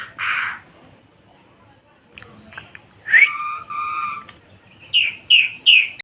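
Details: Javan pied myna, a cage bird, gives a sparse sequence: a rough harsh burst, a pause, a drawn-out nasal whistle, then three quick upslurred whistled notes about a third of a second apart.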